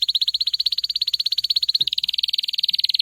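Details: Canary singing a fast, even trill of high buzzy notes, about thirteen per second, that briefly breaks and resumes slightly higher and rougher; quiet setting.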